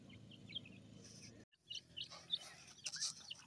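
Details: Black francolin (kala teetar) chicks feeding in a forest give thin, high peeping notes, scattered and irregular, over a steady hiss with a brief dropout in the middle.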